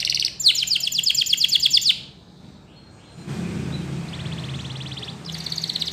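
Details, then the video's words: Belgian canary delivering a loud, rapid pulsing roll for about a second and a half, then near silence, a low rumbling noise, and a faint, distant roll before the song resumes. "The Best Belgian Canary Ramblings !! Your Canary Won't Stop Singing"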